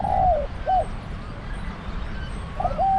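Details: Spotted dove decoy at a trap cage utters a drawn-out falling croo and short clipped note, then begins another mellow coo phrase, with low rumbling in the background.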